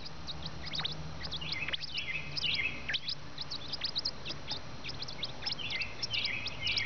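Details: Baby birds waiting for their mother and father to feed them: a dense chorus of thin, high chirps and short rising squeaks, overlapping and repeated rapidly, over a low background rumble.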